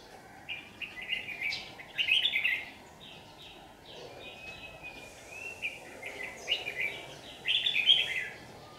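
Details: Red-whiskered bulbul lure bird singing competitively while trapping under harsh sun, 8 July 2019, Vietnam; repeated lively warbled phrases in bursts, several loud clusters of rich whistled notes with a sustained note between.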